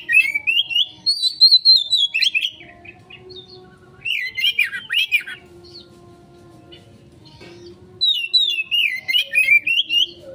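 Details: Song of an Oriental magpie-robin used to lure a quick response: long sweeping whistles that rise and fall, then bursts of chattering warble, repeated in three bouts over a faint steady hum.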